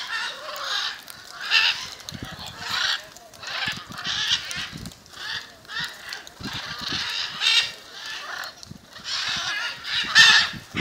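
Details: Somewhat distant-sounding harsh squawks from a group of macaws gathered near a house in Jaumave, Tamaulipas, February 2015, repeated in irregular rasping bursts across eleven seconds, louder at the end.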